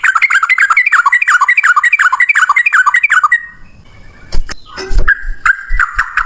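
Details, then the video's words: Male yellow-vented bulbul in fighting mode, 'ropel panjang' style long rapid song used as a lure to get other bulbuls singing: fast run of bubbly, downslurred whistled notes for three seconds, then knocks and thumps with a few scattered notes. "trucukan gacor TARUNG ROPEL PANJANG buat pancingan trucukan agar bunyi jadikan burung trucuk gacor"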